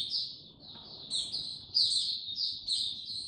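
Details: Oriental white-eye, a kept songbird, singing slowly on 2 May 2022: a short stretch of high, sweet warbled notes rising and falling, with steady low background rumble beneath.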